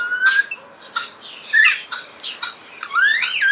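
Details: A common starling (Sturnus vulgaris), recorded close up, sings a jumble of whistles, buzzy clicks and squeaky notes, ending in a long rising-and-falling whistle; no other sounds stand out.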